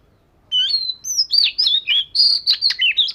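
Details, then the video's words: Oriental magpie-robin, scaly-patterned type, in daily voice-training song: a rich run of clear whistled notes between sliding phrases and a few harsh, buzzy syllables, delivered in quick varied bursts after a brief quiet start. "Chòe Than Vẩy Cá Hót Giọng Siêu Hay-Luyện Giọng Chòe Than Hót Hay Mỗi Ngày-Suara Burung Kacer Gacor"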